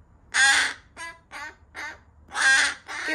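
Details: A young rescued crow, a nestling found abandoned in a garbage bag and on its 11th day in care in Japan, 25 June 2022, gives harsh, raspy begging caws: six in three seconds, two long loud ones framing four softer ones.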